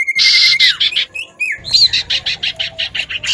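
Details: Common iora pair, male calling back and forth and female chattering: a sustained high whistle sliding down, short upward-flicked notes, then a fast run of buzzy chattering notes.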